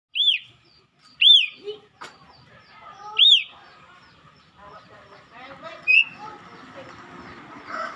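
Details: Asian pied starling singing, a bird said to sing especially when it sees people nearby: loud, arched whistled notes repeated about every second, then a stretch of varied, scratchy chattering phrases with fainter whistles.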